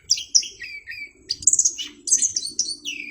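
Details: Orange-headed thrush, kept bird, singing clear, varied song: high whistled phrases sliding down, sharp slurred notes and quick twittering fragments in short bursts, with a faint low hum underneath.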